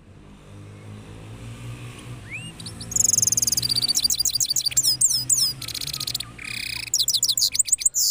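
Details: Cross goldfinch from Parachinar in post-moult rolling song, starting after a quiet lead-in with a soft rising whistle, then bursts of harsh buzzes alternating with sweet high twittering, low background hum throughout.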